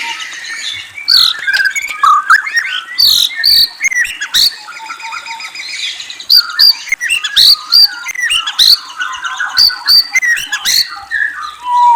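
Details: White-rumped shama in full song, whistles and trills: emphatic bursts of loud, high ringing notes alternating with softer warbled and rattling passages, repeated in lively, irregular phrases throughout.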